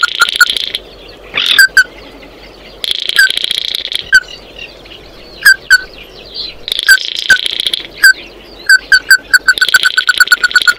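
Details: Oriental white-eye calling its flock: alternating spells of dense, buzzy, high twitter and sharp single notes, ending in a quickening run of clear repeated notes.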